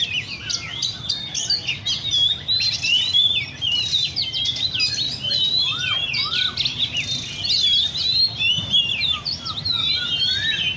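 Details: Several caged Oriental magpie-robins singing together at a park bird cafe in Le Thi Rieng park: rich, rapidly changing whistles and chirps in overlapping phrases, plus a few lower slurred notes and steady low ambient noise.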